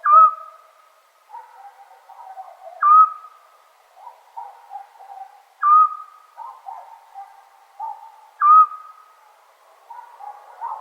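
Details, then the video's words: On a Serbian summer night, a scops owl gives four clear whistled notes, each short and steady, roughly every three seconds. Quieter, lower chattering sounds continue between the notes. "Sound Of Owl At Night"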